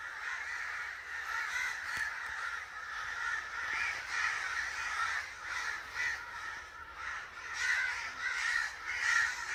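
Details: Angry crow cawing in harsh, hoarse bursts that follow one another irregularly, about a hundred a minute, over ten seconds, each caw grating and nasal, with no other sounds standing out.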